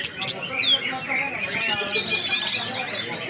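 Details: Singing orange-headed thrush (anis merah) with whistles in the ngeplong manner: sharp, very high chirps and slurred whistled notes in quick bursts, some short bright trills in between.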